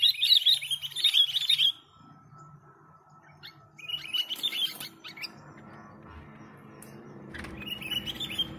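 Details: Sooty-headed bulbul song for luring birds: a loud, bubbly warbled phrase opens, followed by shorter chirped bursts, with a steady faint tone and low background noise between them.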